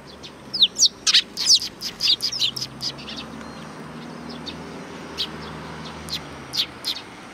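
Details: Several sparrows greeting arrivals at a Tenmangu shrine in Japan, giving a lively burst of short, high chirps and tweets, densely clustered in the first three seconds, then sparser scattered calls over a faint steady background hum.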